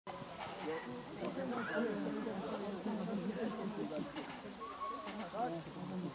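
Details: Common cranes (Grus grus) at Magdalenska Gora, 25 February 2024, give a dense flock chorus of overlapping rolling, trumpeting calls, with a few higher, clearer notes standing out from the mass.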